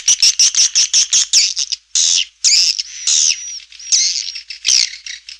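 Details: Clear swiftlet calls played to attract swiftlets to a busy nesting house: a fast run of sharp repeated chirps, then longer buzzy, wavering twitters and a thin whistled note, all high-pitched.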